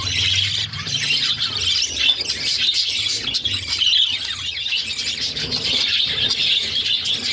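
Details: Six pet budgerigar chicks begging as their mother feeds them; grating, hissy squeaks pour out steadily, with rapid choppy bursts and small gaps between surges.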